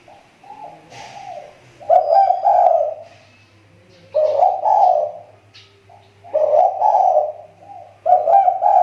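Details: Lure spotted dove whose calling has begun to improve after a slump: four loud cooing phrases in a row, each about a second long, separated by quiet gaps with soft background noise and a steady low hum.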